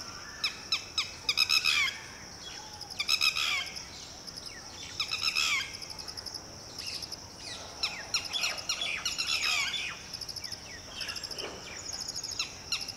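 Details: Red-wattled lapwing mother guarding a just-hatched chick, a two-day-old chick and one unhatched egg, calling in panic at a low-swooping Shikra; irregular bursts of shrill, quickly repeated notes, some overlapping, over a faint rural background.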